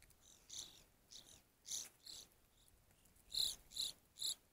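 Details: An evening grosbeak at a feeder gives about ten short, sharp, high chirping notes in under five seconds at an uneven pace, over a faint steady hiss.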